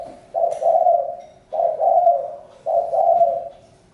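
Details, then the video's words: Spotted dove cooing: three low, hollow two-part coos, each opening with a short note and swelling into a longer, fading one, spaced a little over a second apart. "Chim cu gáy-Đam mê tiếng chim cu"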